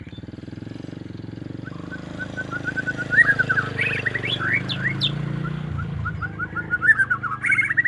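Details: Home-kept white-rumped shama (murai batu) in energetic song: repeated short whistled notes, then upward-sweeping slurs and bright high trills. The song sits over a heavy low rumble of passing traffic and outdoor noise.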